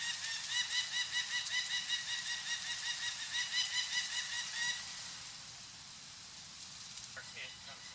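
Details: An adult female Peregrine Falcon at her cliff nest on Mount Tom, Western Massachusetts, in 2015 calls loudly as wildlife officials arrive to band her chicks: a harsh, rapid kak-kak-kak, two or three a second for nearly five seconds, then faint background noise.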